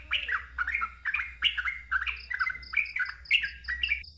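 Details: Sooty-headed bulbul in loud, continuous ngeropel song, a rich chatter of slurred whistles and quick downward swoops packed closely together, with a steady low hum and faint high piping notes behind.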